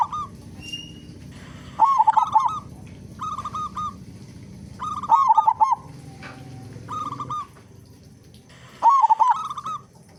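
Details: Local zebra dove with a big voice, used as a lure to get other doves singing: loud rolling, bubbling coo phrases about every three to four seconds, softer coo series between, over a low background hum.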